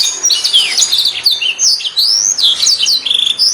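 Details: Master canary calling friends and fighting, with a softer run of high, twisting whistles and quick slurred notes over faint background hiss.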